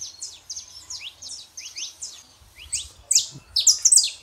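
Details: Male and female Saffron finch heard to get a silent canary singing; thin, high falling chirps at a fast, uneven pace, ending with louder, brighter notes.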